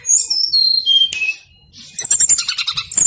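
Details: A brown-chested jungle flycatcher sings insistently as a lure for other birds: a long, clear whistle sliding downward, a short pause, then a burst of rapid high twittering notes.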